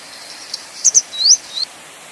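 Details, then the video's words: Grey wagtail (Motacilla cinerea) calling: a faint high tick, then two sharp, very high doubled notes, then a bright upward-sweeping whistle and a shorter, softer sweep. Quiet steady background, no other clear sounds. "灰鶺鴒/Grey Wagtail"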